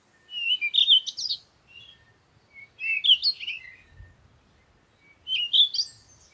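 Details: Bird song in a nature setting: three short, warbled phrases of bright twittering notes, repeated roughly every two and a half seconds, with faint low rumbles between.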